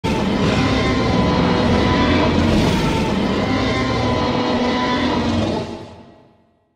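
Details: Loud, steady roaring engine noise that fades away to silence in the last second, with no animal sound.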